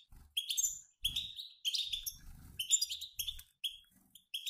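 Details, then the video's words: Mixed male and female European goldfinches twitter in short bright phrases separated by brief pauses, liquid rising notes and sharp chips, a group chatter used to trigger male singing; faint low knocks accompany. "بتبتات طائر الحسون المحفزة على التغريد"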